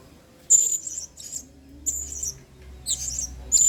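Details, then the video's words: Lively 'main singa' style song of a blue-crowned hanging parrot, kept as a model song for training other birds. About five bursts of piercing, high squeaky notes with brief gaps between them, over quiet low hum. "BURUNG SERINDIT GACOR PENUH EMOSI MAIN SINGA"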